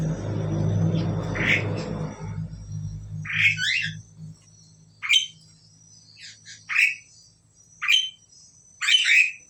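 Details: An Asian pied starling pair: after a low rumbling start, short harsh squawks come in a loose series about once a second, some doubled, against a quiet background.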